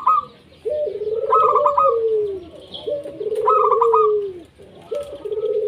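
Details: Local zebra dove singing steadily, played to coax quiet doves into song: a short rapid stuttered phrase followed by a lower, long, gently falling purring coo, repeated about every two seconds.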